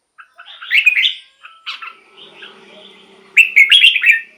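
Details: Red-whiskered bulbul song used for decoying wild birds and exciting caged ones; a warbled phrase, a thin sustained whistle and quiet chatter, then a loud bubbling whistled phrase.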